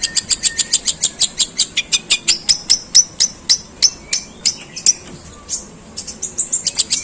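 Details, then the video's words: Long-tailed shrike singing a long, harsh imitation of sparrow calls: a rapid run of sharp, high chirps, about three per second, with some notes sliding into brief thin whistles. "Suara pentet tembakan gerejaan panjang dan kasar"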